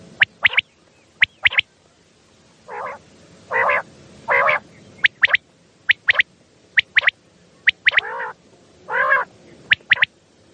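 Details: Quail calls at night used for luring birds when hunting: crisp high clipped notes in quick groups alternating with swelling nasal, harmonic honks.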